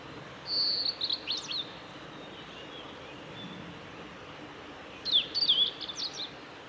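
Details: Male blue-and-white flycatcher singing at Kanazawa forest road by Lake Miyagase, Japan, on 17 May 2020: a high whistled phrase opening with a sustained note then quick buzzy flourishes, repeated after a pause with a jumbled ending, over soft steady background hiss.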